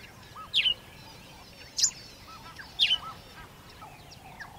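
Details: Sparrow in Africa uttering three sharp, high chirps about a second apart over a steady background hiss, with softer low calls of other birds underneath.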